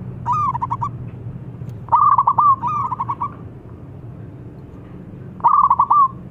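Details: Clear, ringing coos from a local zebra dove in Indonesia, called loudly to prompt answers: three strong stuttering phrases and one softer flat coo, each burst of quick repeated beats lasting under a second, low droning noise beneath.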